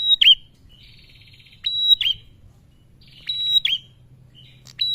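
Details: Calling male Bar-winged prinia, a lure to trigger singing in other birds: three or four high phrases, a click and level whistle sliding down to a brief curled note, with soft rattling trills between.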